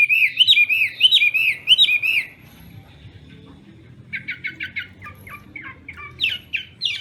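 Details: Chinese hwamei in morning singing practice: repeated bold whistled phrases, then a pause, followed by quick clipped notes in short bursts and a final rich whistle.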